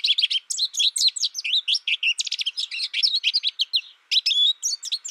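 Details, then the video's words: Young American goldfinch raised alone and taught by a recorded tutor, singing a rapid, continuous run of high chirps, twitters and rising-falling whistled slurs, pausing briefly before a final burst. "My American Goldfinch sings a tutor calling birds, goldfinch excitation to sing,goldfinch chirping"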